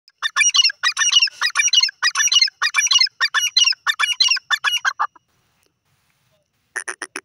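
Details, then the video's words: Grey francolin calling naturally, described as male and female voices: loud, harsh, rhythmic series of ringing notes repeated rapidly for about five seconds, a short pause, then another burst begins near the end. "gorgeous grey francolin bird with his natural awaz"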